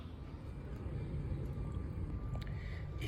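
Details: Low urban rumble of traffic in Hackney in May 2022, with a faint steady hum and no animal calls.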